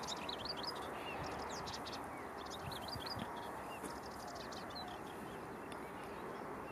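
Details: Melodious Warbler (Hippolais polyglotta) at Ellecom, Netherlands, 10 June 2015, singing a fast, babbling stream of high chirps and twittering notes over a steady roar of wind or distant traffic.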